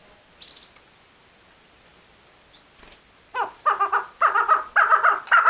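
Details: Female chukar partridge (mada chakor) calling: after a quiet start with a faint high note, a run of harsh, clucking notes around the middle register begins near halfway and repeats quickly, about twice a second, growing louder.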